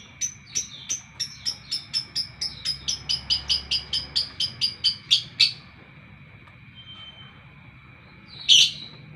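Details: A lovebird at morning repeats short piercing chirps, speeding up into a quick regular series over five seconds, then silence and one loud squeaky note.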